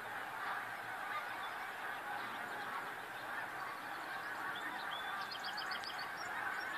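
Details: A huge flock of snow geese on February 28, 2013, calling together in a dense, unbroken roar of overlapping nasal honks, with a few higher yelping notes rising above the mass near the end.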